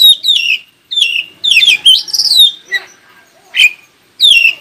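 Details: Loud, clear Oriental magpie-robin song to set other magpie-robins singing in reply: repeated bright whistled phrases that drop sharply in pitch, separated by brief silences, with a few short chirps between them.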